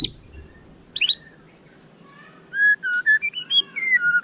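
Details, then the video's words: Captive White-rumped shama (murai batu) gives a brief high chirp burst, a pause, then a sequence of clear whistled notes rising and falling over faint background hiss. "Dengarkan suara candu Murai Batu ini seketika murai Anda langsung GACOR"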